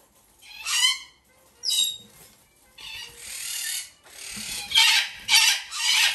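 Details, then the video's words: Hand-fed female chick of the lesser sulphur-crested cockatoo from a domestic breeder, in a shop. Harsh grating squawks come in a series: two short rasps, a longer hoarse screech, then three loud rapid squawks close together. "アルーキバタン 雛"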